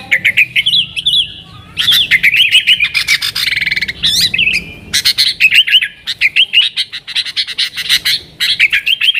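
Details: Lure recording of a yellow-vented bulbul singing nonstop to attract wild sooty-headed bulbuls; dense, rapid chattering and squeaky twitters in clustered bursts separated by brief gaps, with short buzzy stretches between.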